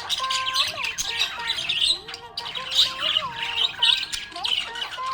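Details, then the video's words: Budgerigar chirping happily with bursts of loud scratchy warble, squeaky upslurred whistles and brief pauses, coming in pulses about once a second. "Happy budgie chirping sound"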